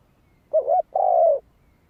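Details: Spotted dove coo for stirring a decoy bird: a brief rising and falling warble, then a sustained mellow note that slides slightly downward, in otherwise quiet surroundings.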